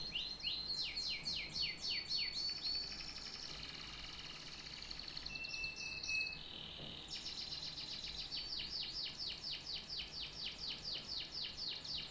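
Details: Canary song built of fast rolling trills, each a run of downward-sweeping notes, broken by a buzzy passage and a short pure whistle before the rapid trills resume to the end.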